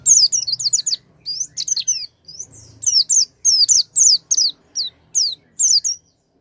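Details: Oriental white-eye song, played as a lure to make a silent white-eye sing: a fast run of high, thin, sweeping chirps, each falling in pitch, delivered in quick bursts with short gaps and nearly continuous for six seconds.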